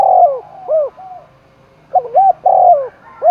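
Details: Spotted dove in Dong Nai, Vietnam, roused to fight, giving loud, clear coos: a long, falling note and arched notes, a brief pause, then looped notes and another drawn coo.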